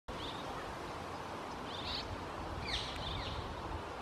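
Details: Juvenile red-rumped swallow in Cascais, 2022, an urban area, gives three short, buzzy, slightly nasal twitters about a second apart over a steady rush of wind and background hiss.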